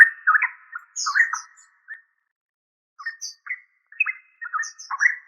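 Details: Yellow-vented bulbul, locally called trucuk, giving short bubbly, liquid phrases of slurred notes in two bursts separated by a brief pause.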